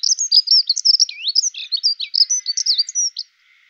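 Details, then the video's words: A male dunnock (Prunella modularis) sings a fast, high, jangling warble of squeaky notes for about three seconds, then stops; nothing else is heard. "Лесная завирушка Prunella modularis"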